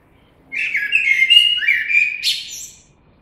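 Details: A common blackbird delivers one continuous mellow warble of varied fluty whistles, closing with a brief high, scratchy twitter.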